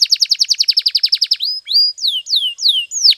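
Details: Canary song used to train canaries: a rapid series of sharp repeated notes for over a second, then slower, sweeping whistled downslurred notes repeated about every third of a second.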